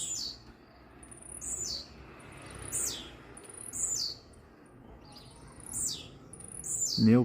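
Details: Blue-black grassquit singing quickly toward another bird, near a veranda: a thin high note sliding steeply downward, repeated about every one and a half seconds over a steady background hiss, with a voice at the very end.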